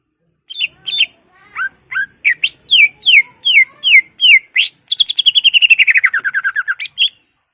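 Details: Greater green leafbird singing to provoke other leafbirds, with mimicked fill-in phrases; a measured series of down-slurred whistles about every third of a second, then an abrupt switch to a rapid descending trill and a final upslur.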